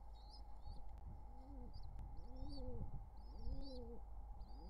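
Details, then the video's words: A wild pigeon pair courting at their nest with nestlings, summer 2023: low, rounded coos about once a second, each swelling and falling, with faint high chirps from small birds and a steady background hum. "Pigeon Pair's Courtship Drama"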